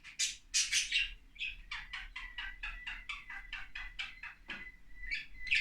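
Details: Two pet budgerigars chatter in a fast run of scratchy, buzzy notes mixed with high squawks.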